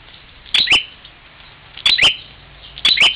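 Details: Bar-winged prinia in Parigi, Ciamis, West Java, sparring with its mirror image: three bursts of doubled, squeaky high chirps mixed with crisp clicking taps, separated by about a second of near silence.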